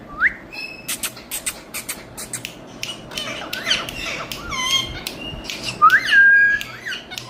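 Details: Indian rose-ringed parakeets, ringneck parrots kept indoors, heard in a small room: scattered sharp squeaks and clicks with a few whistled, rising and falling notes, one long bright whistle near the end.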